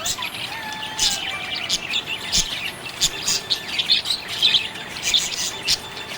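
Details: Budgies chirping happily, a busy stream of sharp high chirps and scratchy notes roughly every second or so, with a thin drawn-out whistle early on and steady background chatter.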